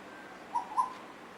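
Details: Asian koel from a pair singing and playing with each other; a quick pair of clear whistled notes, the second slightly louder, against faint steady background noise.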